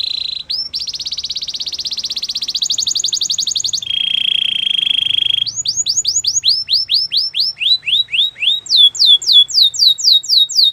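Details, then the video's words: Belgian canary song: rolling high trills held for several seconds, stepping down to a lower steady roll, then a long sequence of crisp falling whistled sweeps at a quick, even pace. "Belgian canary singing!!"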